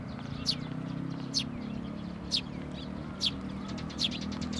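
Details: Sparrows at a Tenmangu shrine on 22 May 2024, chicks being fed: short, sharp high chirps repeated about once a second over a steady low hum.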